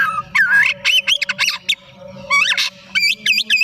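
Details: Afternoon song from a white-rumped shama, fast trilled and chattering notes with wavering whistles, ending in a quick series of repeated chirps, faint hum beneath.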